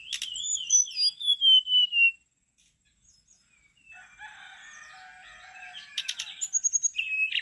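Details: ['Brown-chested jungle flycatcher in vigorous song. A long wavering whistled phrase is followed by softer mixed twitter, then rapid chip notes and a fast repeated buzzy trill.']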